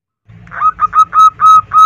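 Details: Female zebra dove calling for the male: a quick series of six swelling whistled coos, each note longer and louder than the last, over a low background hum.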